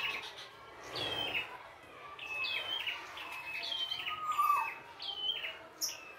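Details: Prinia singing in the wild, chattering a run of short high chirps that drop in pitch, plus one lower slurred whistle, with soft background hiss.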